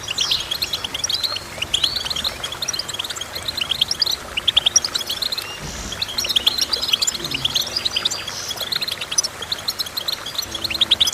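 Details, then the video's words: Long stretch of goldfinch twittering: dense, jingling chirps and trills that keep going with short breaks, plus a faint low rumble near the middle. "Goldfinch Chirping"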